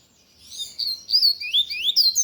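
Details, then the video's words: Tui-tui lined seedeater singing loudly: a continuous stream of bright, piercing slurred whistles, each sweeping up and down quickly, delivered in a rapid, lively phrase. "Coleiro de gola Tui Tui cantando forte"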